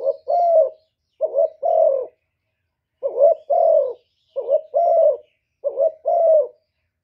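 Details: Spotted dove cooing and calling in the 'thổ thúc' manner to provoke wild doves. Six mellow double-note phrases follow in quick succession, each a short rising coo and then a drawn-out falling one.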